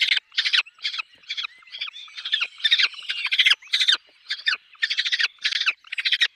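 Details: Harsh, chattering pulsed calls from a peregrine falcon at its nest with chicks, delivered in rapid bursts of irregular length, with faint thin whistled notes between them.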